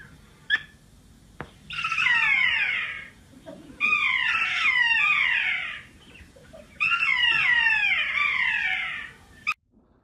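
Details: In New Zealand, a kea gives three loud, harsh, drawn-out kee-aa wails, its flight call that gives the bird its name, each sliding downward over a second, spaced a couple of seconds apart; keas call back and forth within family flocks.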